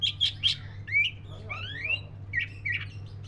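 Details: Black-breasted white-rumped shama song: a few harsh chattering notes, then clear rising whistled slurs and short buzzy phrases, over a low background hum.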